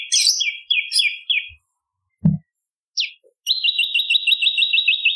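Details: Bar-winged prinia song for luring birds: short bursts of scratchy descending chirps, pauses with a low knock and a rising whistle, then a steady rapid chirping trill at the end.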